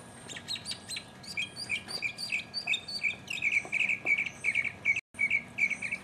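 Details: A lone mockingbird sings in 2015, first with varied chattering phrases, then a fast string of repeated short chirps, all bright and high-pitched, with a brief dropout near the end.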